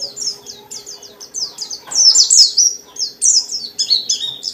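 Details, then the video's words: Full, continuous white-eye song from a pleci dakun, packed with varied phrases and meant to draw replies from other white-eyes: jerky high chirps alternating with louder warbled bursts and quick pitch drops. "Burung pleci dakun gacor banget,ngalas rapet nyambung isian banyak"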